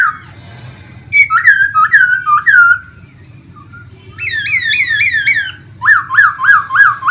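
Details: Pet laughingthrush in Vietnam sings while fanning its tail in a dance-like display. Rich whistled phrases: a series of slurred notes, a quick rising-falling run of about seven notes, then five bouncy repeated whistles. Low background hum.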